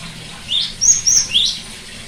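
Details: Cinereous tit song, used as therapy to get non-singing tits to sing: four quick, high, clear notes in about a second, the first and last sliding upward with two brighter level whistles between them.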